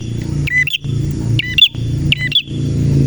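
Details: Male red prinia singing briskly in the 'nembak' style: three loud, high chirped bursts over steady low traffic-like rumble.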